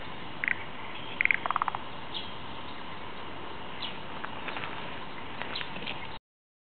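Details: Male tiger shrike perched on its favourite perch gives a few quick, harsh chattering notes, then scattered soft ticks, over a steady background chorus of frogs.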